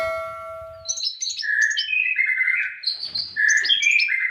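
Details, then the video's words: Brown-throated sunbird (konin) song used as a tutor recording for songbird keepers: after brief steady tones, a fast run of high, twittering, slurred chirps and short whistled notes shifting in pitch. "Konin mewah masteran wajib kicau mania"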